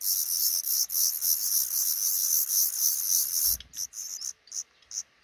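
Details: Black redstart nest above a regularly slammed front door, five chicks hatching; a sustained shrill, pulsing hiss that stops abruptly after a soft thump, leaving a few separate high peeps.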